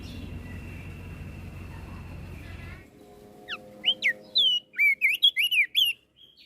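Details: Flores crested white-eye singing to agitate other birds. A steady mechanical hum with a faint tone fades out, then loud whistled notes begin: rapid up-and-down slurred phrases, each short and bright, packed closely in the final three seconds.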